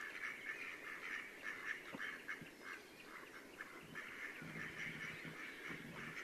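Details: Courting mallard drakes at sunset near Elno, Novgorod oblast, Russia, 8 April 2015, give soft, raspy, nasal calls, repeated irregularly and overlapping from several birds, over a steady background hum.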